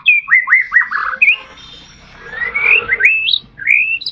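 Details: White-rumped shama song used to trigger singing in caged shamas; quick run of downslurred whistles, then a harsh noisy passage with rising whistled notes over it.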